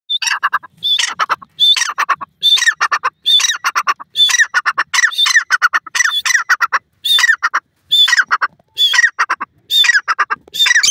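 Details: Pheasant calling deep in a forest: loud, harsh squawking notes given in a steady series, roughly one every second, each a short ringing burst with a quick rise and fall, in otherwise quiet surroundings.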